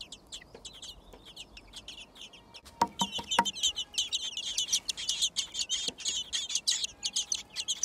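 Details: Thrush nestlings being fed in a garden nest. A few soft high chirps and some clicks come first, then the brood bursts into fast, shrill, overlapping begging chirps that continue to the end.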